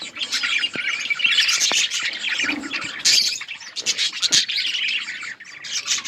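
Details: Breeding-colony budgies keep up a steady, crowded chorus of squeaky chirps and harsh chatter, with occasional louder bursts.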